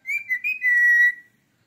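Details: A male Indian ringneck parrot gives a brief whistled phrase of three quick clear notes, then a long steady whistle, over about a second in a quiet room.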